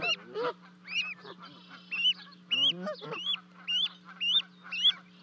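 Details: Goslings in Charlo, Montana, on 12 May 2020, after two of them jumped from a 30-foot osprey nest to reach their parents, heard on a livecam. Sharp upward-sliding peeps repeat about twice a second over a constant electrical hum.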